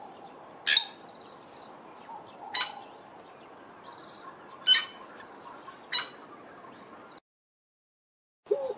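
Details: A Fork-tailed Drongo in a garden in the Eastern Cape, South Africa, gives four harsh, rasping, metallic notes spaced about two seconds apart, over a steady background hiss.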